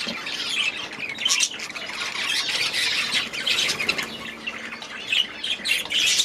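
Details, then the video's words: Several budgies calling together in their aviary: a continuous wash of raspy squawks and twittering chirps, with louder bursts near the start, middle and end. "6 Hours of Budgies in their Aviary"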